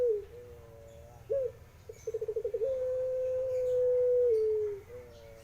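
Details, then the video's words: Puter pelung guguk Barbary dove giving a low tremulous coo, then a fast rolling series of pulses flowing into a long sustained even tone that slowly drops before a short restart. "SUARA PUTER PELUNG GUGUK ENAK DIDENGAR"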